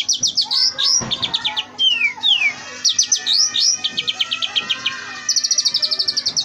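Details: Oriental magpie-robin in rich, varied song full of mimicked phrases: sweeping whistles, two long downslurred notes, strings of sharp chips and a closing fast high trill.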